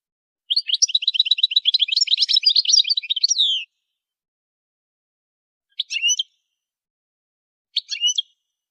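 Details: Goldfinch singing during song training: a three-second burst of rapid twittering and trilled high notes ending in a slurred downward note, followed by two short separate chirped phrases after long pauses.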